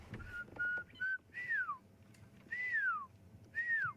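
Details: A pearl-spotted owlet calls near water holes and drainage-line thickets on a July 10 morning safari drive, with a barred owlet also calling nearby: a few short level whistles, then three long, loud, downslurred whistles about a second apart, faint rumbling behind.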